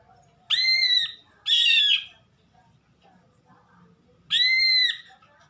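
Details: Greater green leafbird making odd, harsh nasal squawks, rich in harmonics, two bursts close together then a third after a pause of about two seconds, against a quiet background.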